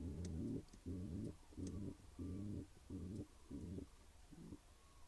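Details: A pigeon pair at their nest gives soft, deep coos in evenly spaced bursts, each about half a second long. The bursts come roughly twice a second against a quiet, hissy background.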